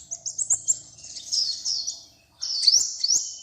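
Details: Little colourful bird singing: several sharp high chirps, then a blurred warbling passage, a brief silence, and a final burst of rising high notes; faint low hum underneath.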